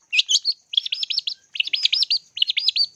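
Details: Long-tailed shrike used as a lure recording for training birds: quick series of looping, arched whistled notes in bursts, each phrase of three to four rising-falling slurs repeated after short pauses, with a steady high hiss throughout.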